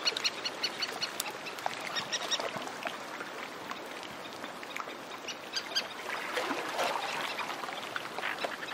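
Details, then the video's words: Several Antarctic terns calling in flight over lapping sea near the shore: a busy stream of short, harsh, high notes overlapping in quick succession, with a steady wash of waves underneath throughout. "Antarctic Tern. Several Calling In Flight"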